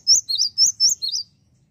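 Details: Java sparrow song meant to rile rival birds: six loud, high chirps in a rapid, slightly uneven series lasting just over a second, then quiet.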